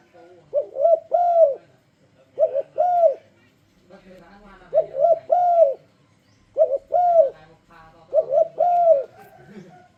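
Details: Spotted dove giving a lure song meant to prompt other doves to sing along; five phrases of soft, low cooing, each a quick double coo followed by a longer, arched, slightly rising-falling coo, repeated about every two seconds.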